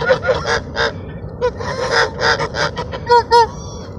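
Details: Ducks being fed at Sunset Park on 10-10-17 give a lively run of nasal, honking calls, a dozen or so short bursts in four seconds, several overlapping as the flock crowds in for food.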